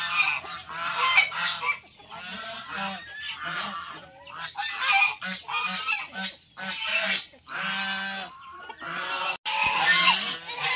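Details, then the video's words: Domestic white geese sharing a poultry farm with fighting cocks, honking in a noisy, overlapping run of nasal calls, several birds calling almost without pause. "itik angsa"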